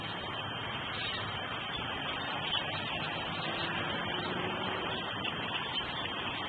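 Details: Dense, even hum and hiss like a running vehicle, with no animal voices.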